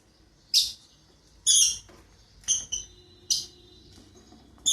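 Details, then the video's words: Two lovebirds kept as pets start the day with piercing, high chirps repeated roughly every second, each a short shrill burst with a thin trailing tone. "Love Birds Starts their days"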